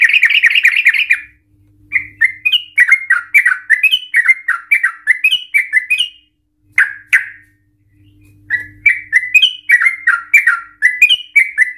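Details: Yellow-vented Bulbul in lively, emotional ropel panjang and ngikluk song, played to provoke other bulbuls: bubbling trills lead into long runs of rising and falling liquid whistled notes, repeated in two extended phrases with a brief pause.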